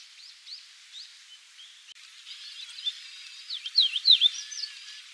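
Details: Chestnut bunting subsong, a rare passage migrant on Yonaguni Island, Japan, in April 2001, from a flock of five or six males, females and juveniles perched on branches at a mountain foot; faint high chirps building to brighter twittering notes near the end.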